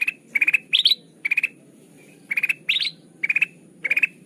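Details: Sooty-headed bulbul lure sound for catching birds: crisp bursts of four fast chattering notes alternating with rising, slurred bursts, repeated at a brisk pace with brief gaps between them.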